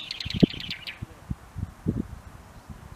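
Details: Brown-eared Bulbul in a single early-flowering cherry tree at Maekubo Central Park, Moroyama, Iruma District, Saitama, Japan, 17 March 2022, giving a quick run of about eight high, chirpy notes in under a second, followed by low thumps and rustling.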